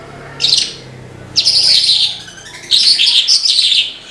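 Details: Branjangan, the Australasian bush lark, in energetic song: three separate bursts of bright, high, rapid twittering notes divided by short quiet gaps, over low steady background noise.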